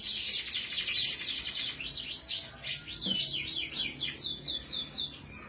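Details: Kenari Rasmi Iran canary, gacor style: dense, high warbling trills with quick repeated sweeping notes that speed up toward the end, over low background noise.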